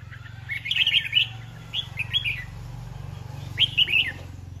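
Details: Red-whiskered bulbul used as a decoy, displaying, sings three short bursts of bubbly, warbled whistles over a steady low background hum.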